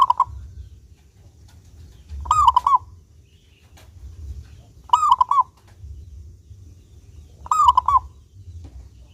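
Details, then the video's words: Local zebra dove with a clear, ringing voice, used as a lure so other doves sing often: four clipped, bubbling cooing phrases, each with a few fast notes, repeated roughly every two and a half seconds over a low steady rumble. "Perkutut Lokal Gacor Suara jernih ini Paling Ahli bikin Pancingan Burung Perkutut Agar rajin Bunyi"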